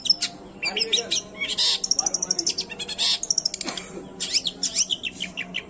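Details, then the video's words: Long-tailed shrike in full varied song, unedited, for stirring up reluctant shrikes: dense jumble of chattering, buzzy bursts and quick high whistles, nearly continuous. "banyak cendet emosi dengar kicauannya"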